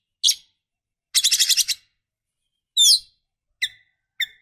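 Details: White-rumped shama female calling the male: sharp harsh chip notes, a rapid rattling burst of about six pulses, a scratchy note, and two short chirps with a falling tail.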